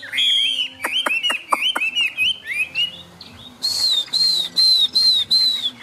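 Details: Caged Chinese hwamei with rain falling: fast whistled warbling mixed with crisp clicks, then five loud clear whistled notes evenly spaced about half a second apart.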